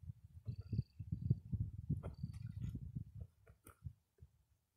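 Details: A Dalmatian pelican, one of a couple among a group of Great White Pelicans at the Little Rann of Kutch, gives a deep, rumbling series of quick, uneven low grunts, with a few faint clicks and rustles in the background.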